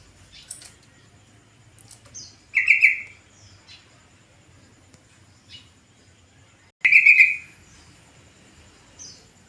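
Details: In the afternoon, a yellow-vented bulbul calls to draw other bulbuls to answer: two strong, gurgling bursts of rapid notes about four seconds apart. Between them come scattered thin high chirps from other birds.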